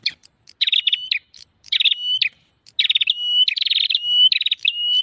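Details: Prinia lure sound: nearly continuous bursts of fast pulsed trills, each trailing into a drawn-out level whistle, repeated about every second.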